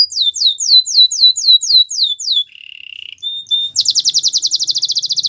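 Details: A Belgian canary delivers falling whistled notes in a steady run, then a brief buzzy roll, a thin whistle and a very fast high rattling trill.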